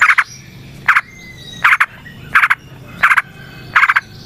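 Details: Yellow-vented bulbul recording used as a lure. Rough, buzzy bursts of rapid pulses repeat about every three quarters of a second in a steady rhythm, with faint whistles in the gaps.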